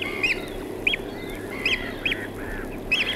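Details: Eurasian oystercatcher calls recorded with black-headed gulls in Norfolk, U.K.: sharp, piercing piped notes, singly or in pairs, coming about every half second, with a soft harsher gull note and low background rumble.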